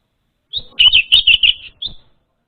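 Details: Orange-headed thrush song meant as a lure for an untrained bird: a thin lead note, then a fast cluster of loud, slurred chirps and a final soft whistle.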